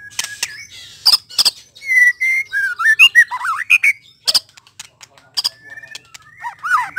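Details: White-rumped shama singing: sharp harsh chips give way to a run of rich, fluted whistles twisting up and down, then more scratchy bursts and a final rising whistle.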